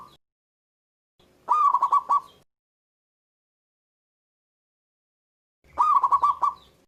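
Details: Local Zebra Dove singing with a big voice: two loud cooing phrases, each a quick run of about six pulsed, rolling notes lasting around a second, separated by four seconds of silence.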